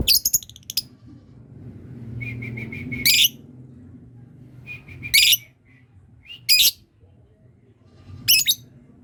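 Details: Lovebird learning to trill, its calls setting off other birds: loud high buzzy bursts about every one to two seconds, each led by a short repeated note, over a low background hum.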